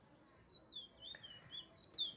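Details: Trinidad bullfinch (large-billed seed finch) recorded at Barrackpore, Trinidad: a string of clear, slurred whistled notes, rising and falling, with each phrase growing louder toward the end and faint low background noise.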